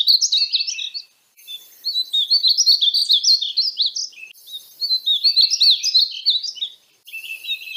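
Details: High, rapid warbling from a painted bunting (Passerina ciris): three lively phrases of slurred, jumbled notes with brief pauses.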